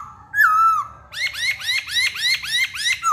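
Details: Hwamei voice: a single drawn-out falling whistle, then a fast, regular string of about eight bright, arched, chirping notes.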